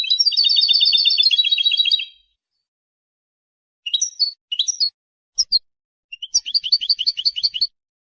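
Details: European goldfinch song used to claim territory and attract females: a sustained fast metallic trill for two seconds, then scattered short chirps and a final rhythmic twittering run, in a quiet setting.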